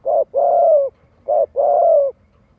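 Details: Vietnamese spotted dove lure call for training young birds to coo: two pairs, each a short mellow coo followed by a longer, gently arching and falling coo, clear and near.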